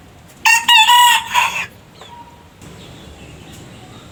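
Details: Rooster crow from a compilation of many roosters: a loud, clipped cock-a-doodle-doo lasting just over a second, then faint background sounds.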